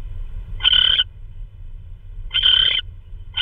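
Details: Owl at 3:12 AM on March 16 2013, delivering a hard-to-identify prey item, possibly a vole: two drawn-out, harsh hissing screeches about 1.7 seconds apart, and a third just starting at the end, over low background noise.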